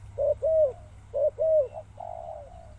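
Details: Spotted dove cooing: two pairs of short then longer hollow coos, followed by a flatter drawn-out coo, with a low steady hum underneath.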